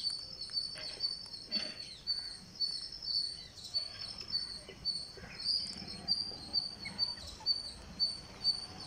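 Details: Green parakeet on day 49 of feeding. A thin, high, wavering rasp pulses in a steady rhythm, about two beats per second, over faint low background noise.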